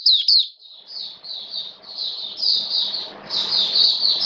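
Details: Caged Oriental white-eye singing during wet rainy weather: two quick high chirps, then long buzzy, warbling high-pitched phrases that swell and fade, over faint background hum.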